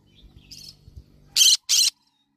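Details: Two loud, grating squawks from a yellow-sided conure, following a few faint soft chirps over a low background hum.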